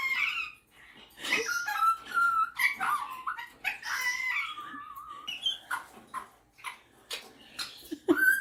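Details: Pet superb parrot, a male described as a keen talker and singer, mimicking indoors: a varied medley of warbled tones, a held whistle, then a run of short sharp clicks and chirps.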